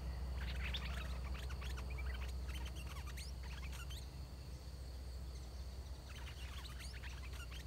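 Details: Caged red-whiskered bulbul used as a decoy to lure wild birds; a large, big-crested wild bird with a good song came in quickly. Busy bursts of short, bright chirped and whistled notes, several per second, over a steady low hum.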